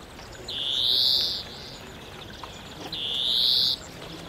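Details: European greenfinch recorded in Cordoba, Spain, in April 2011, giving two drawn-out, buzzy wheezing notes, each close to a second long and about two seconds apart, over a faint, quiet background.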